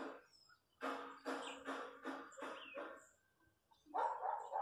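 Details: Chachalacas, wild birds of the countryside, call in harsh, nasal bursts that run together in a loud chorus for about two seconds, pause, then start again.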